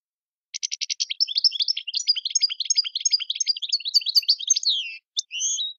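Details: An Algerian European goldfinch in tiwawati style opens with rapid stacked clicks, then pours out a long, tumbling twittered phrase of bright, varied notes before a brief final buzz.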